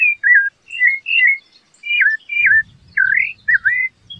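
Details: Rufous-bellied thrush singing: a loud series of clear whistled phrases around mid pitch, each slurred or looping, spaced by short pauses, with a faint low rumble in the background.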